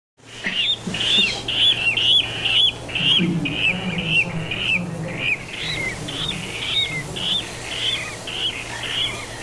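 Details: Water rail (Rallus aquaticus) at an ornithological observatory in Catalonia on 11 November 2019 gives a run of sharp, squealing notes, about two a second, over some low grunting and a steady low hum.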